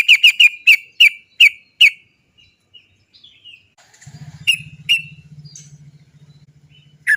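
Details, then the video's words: Sooty-headed bulbul 'cok cok' notes used as a lure for singing bulbuls. A quick run of seven bright clipped notes is followed by soft scattered chirps, then a steady low hum with two more sharp notes. "TRUCUK GACOR ROPEL PANJANG... suara cok cok cok ngerol PANCINGAN burung trucukan agar cepat bunyi"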